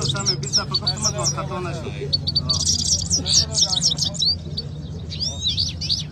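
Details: Quetta singing contest between two canaries, with bright chattering trills and quick upslurred whistles throughout; a man talks over the first two seconds and a low hum persists.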